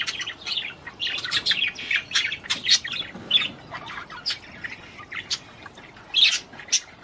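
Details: Budgerigar warble aimed at stimulating a female to mate: lively squeaky chirps and scratchy clicks, clustered in quick bursts with short quieter gaps.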